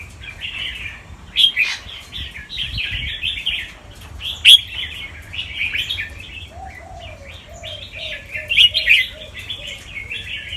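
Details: Caged albino fancy Red-whiskered bulbul, white with red eyes, from Chonburi, Thailand, bred for competition and known for doubled, trilling, fast-chopping song. Bright repeated warbled phrases fill the recording, with a soft falling series of dove coos midway.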